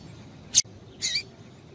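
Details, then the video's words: Female double-collared seedeater giving calls meant to stimulate a male to sing: two short, sharp, high chip notes about half a second apart, the second slightly longer and buzzier, over a faint low background hiss. "Piado de Fêmea de Papa capim Vai deixar Seu Papa capim Cantando"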